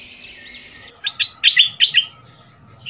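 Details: Caged Red-whiskered bulbul from southern Thailand, a new decoy bird kept two months, sings a fierce 'double'-style song meant for young birds to copy: soft warbles, then five sharp, bright, rapid chirped notes in a quick burst.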